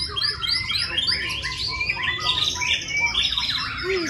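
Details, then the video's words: White-rumped shama at a singing contest, said to bring out its isian (filler) song in the first minute: dense, rapid run of high whistles and sweeping, chattering notes, overlapping and continuous, with a low background rumble. "Lomba Murai Batu Keluar Isian Di Menit 1"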